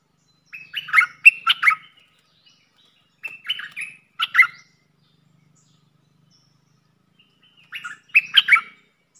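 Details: Red-whiskered bulbul serving as a caged luring decoy delivers three brief chattering, warbled phrases spaced several seconds apart, separated by silence.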